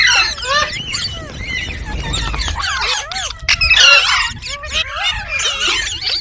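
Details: Pet green parrots screech and chirp in harsh, rapid, overlapping bursts that rise and fall, with several birds calling at once; the owner says the parrot (Mitthu) is angry and fighting.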